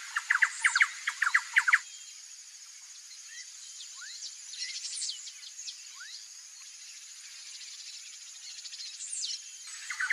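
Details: A female Little Woodpecker watching from her nest entrance, where she tends young, gives a quick burst of about eight sharp, repeated notes, then falls quiet; scattered faint high chips follow over a steady high insect hum.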